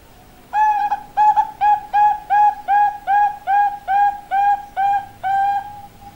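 A female zebra dove gives a run of about ten short, hollow cooing notes, evenly pitched and spaced roughly two per second.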